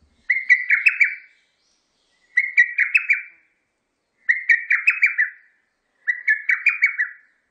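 A lesser cuckoo gives its loud, stuttering phrase of five or six notes, repeated about every two seconds.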